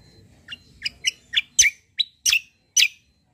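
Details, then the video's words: Kecial kombo white-eye, a top-form fighter bird suited for song training, gives a series of about eight sharp, spaced chirps that grow louder and harsher, roughly every quarter to half second. "KECIAL KOMBO CUCAK KOMBO FIGHTER GACOOR || COCOK UNTUK MASTERAN"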